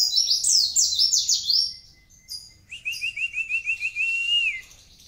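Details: High, sweet twittering burst from a mountain white-eye of Kintamani in 'gacor' song, followed by a steady pulsing trill held for about two seconds before it drops away.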